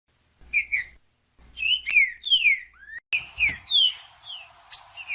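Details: Green-winged saltator, a 'Judas' singer meant to excite another trinca-ferro: short bursts of loud, sweet downslurred whistles separated by silent gaps, spliced phrases, and a brief rising note near the end.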